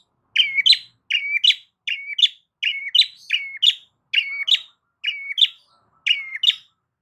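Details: Long-tailed shrike singing loudly, used to provoke silent shrikes into answering: paired notes, a buzzy rising slur followed by a sharp high chip, repeated about eighty times a minute with short gaps; nothing else audible.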